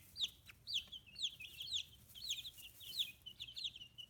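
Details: Fifteen-day-old chicks, feathers coming in, on a small free-range poultry farm in Kitahiroshima, Hiroshima, Japan, peep in high downward-sliding notes, several overlapping, about two a second in a quiet room.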